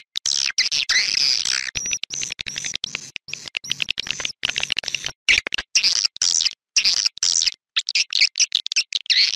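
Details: Outdoor swiftlet lure recording meant to attract large numbers of swiftlets to nest in a swiftlet house: shrill, high twittering chirps in rapid clustered bursts, broken by brief silences.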